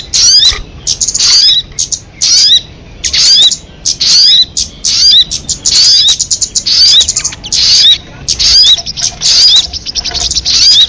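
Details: Crested jay giving a long series of harsh, rasping chatters mixed with sharp high squeaks and short upward-slurred notes, the bursts coming about once a second with brief gaps between them.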